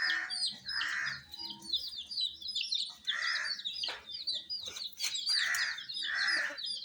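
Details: Brooded colour-dyed chicks giving a steady mass of shrill peeps, with several muffled noisy bursts and a few sharp clicks and knocks in between.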